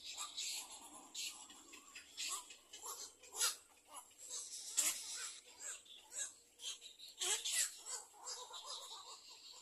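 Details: Little egret chicks in a second nest, waiting for food: harsh, raspy broadband bursts, irregular and overlapping, some louder rasps near the middle and end, with quieter scratchy chatter between them.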